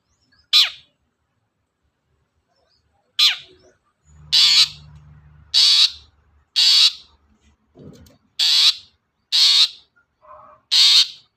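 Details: Long-tailed shrike giving harsh falling rasps that turn into a steady series of broad, grating squawks about a second apart, with a low hum briefly beneath; a sound used to provoke other birds to sing.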